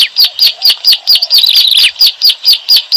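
Bar-winged prinia giving sharp, high chipping notes about four times a second, with a brief jumbled twittering burst midway.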